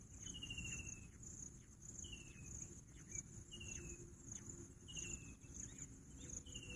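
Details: Bush quail repeating pulsed, gently falling whistled notes about every one to one and a half seconds, five calls in a row, with an unbroken high insect buzz and low background noise.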